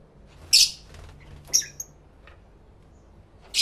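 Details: Indoor lovebirds, recorded in stereo with two camera microphones, give a harsh, shrill squawk, then a thinner high chirp and a brief squeak, with another squawk starting at the very end.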